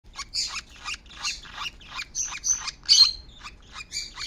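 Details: A young Fischer's lovebird, hidden on a person's shoulder under a robe collar, gives a rapid run of high, scratchy chirps and squeaks, several each second, with brighter shrill notes, as an albino lovebird searches for it.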